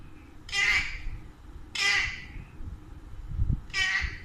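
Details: Two pet Alexandrine parakeets in a home where they are said to speak Urdu and Hindi; three harsh, loud squawks roughly a second apart over a low room hum, with a faint human voice nearby.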